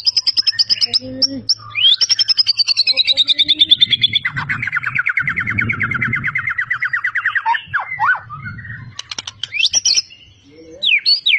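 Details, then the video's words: Champion white-rumped shama from Medan, a caged competition bird, singing with mimicry of other birds: rapid rattling trills, first high and descending, then a long lower buzzy rattle, with slurred whistles; low hum beneath. "murai juara full isian gacor ngotot"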